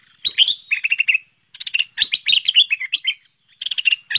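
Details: Bulbul called merbah pet pet or lekir, from a 2021 recording used to lure the bird: a quick rasping start, a run of liquid chattering notes, a brief pause, then more buzzy and bubbly phrases.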